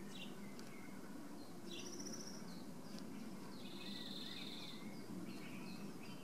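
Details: Common starling (Sturnus vulgaris) giving a jumble of thin high whistles, slurred squeaks and short buzzy rattles at an uneven pace, over steady low background rumble.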